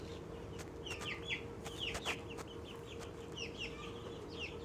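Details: Happy sounds from an excited little Australorp chicken: quick, bright downslurred cheeps repeated several times a second, interrupted by sharp clicks and knocks, over a steady electrical hum.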